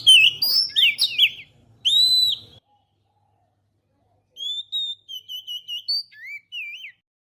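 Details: Oriental magpie-robin song used to lure birds: a burst of loud varied slurred whistles with a faint low hum, a gap, then a string of short clear whistles and a wavering note.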